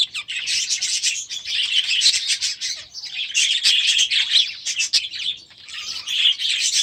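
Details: Young budgerigars, last year's babies now grown, newly released into a new aviary at the start of a new season; dense, continuous high chirping and warbling chatter from several birds, with short pauses.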